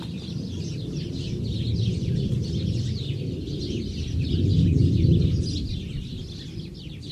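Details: House sparrows recorded at Moshav Kmehin, Negev, Israel: many quick, overlapping chirps in a busy flock chorus, under a heavy low rumble that swells around the middle and again near five seconds.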